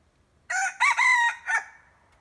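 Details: Red junglefowl decoy bird (ไก่ต่อ) crowing: a harsh, harmonic crow in three parts, a short opening note, a long sustained middle note and a falling final note, with quiet background.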